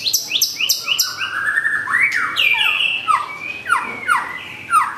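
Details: Murai batu, the white-rumped shama, pouring out song to challenge a rival; rapid descending whistled notes, then long sweeping slurs and ringing repeated phrases, loud and dense with no other clear sounds.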